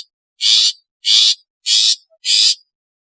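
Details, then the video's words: Long-tailed shrike in a set of its natural, calling, alarm and lure sounds. Four loud, harsh, buzzy rasps, evenly spaced about every six-tenths of a second. Silent between notes. "SUARA ASLI CENDET / SUARA PANGGILAN CENDET / SUARA PERINGATAN CENDET / SUARA PIKATAN CENDET"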